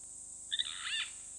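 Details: Harsh grating call of a Purple Roller, one of a pair filmed by a fixed camera at Hyena Pan, Khwai Private Reserve, Okavango Delta, Botswana; two short clicks lead into a rough, buzzy rasp, with a constant high-pitched hum behind.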